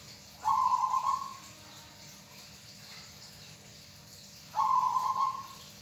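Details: Local zebra dove, a hobby bird, cooing twice about four seconds apart. Each phrase is a mellow, rapidly pulsing coo of nearly a second that fades at the end. Only faint steady hiss lies between the phrases.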